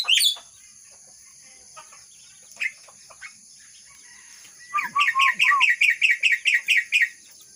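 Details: Myna imitating the red-whiskered bulbul: after a sharp opening note and sparse soft clicks, a run of low wavering whistles gives way to an evenly spaced series of bright, chirpy whistled notes, with steady background hum.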